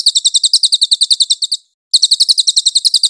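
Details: Clear-voiced cililin song used as a master for training magpie-robins: rapid, evenly spaced high chirps in a steady trill, broken by a short pause before the trill picks up again.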